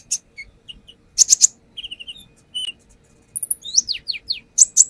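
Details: Song of a brown-throated sunbird used as a lure, the bird singing intensely and showing off its fill-in phrases: short whistles, a buzzy rising phrase, a thin high trill, descending sweeps and closing ticks.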